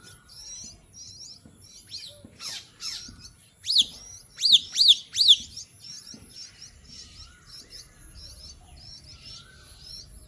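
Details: Jungle myna giving three loud, short, downward-sweeping whistled notes in quick succession, with a steady background chatter of small high chirps from other birds.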